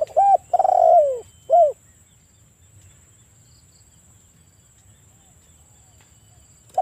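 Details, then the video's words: A single luring phrase from a vocal spotted dove, one-kuk style: short coo, long burry descending coo, short closing coo, followed by several seconds of quiet with a faint steady high hiss and a new coo starting at the end. "TEKUKUR GACOR kuk 1 suara memikat yang dengar langsung NYAUT."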